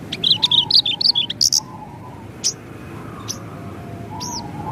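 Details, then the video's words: Javan bush lark tutor recording, rolling and shooting song style: a rapid run of bright, high warbled notes for about a second and a half, then a few isolated sharp chirps over low hum. "Masteran BRANJANGAN Gacor , Ngerol Nembak"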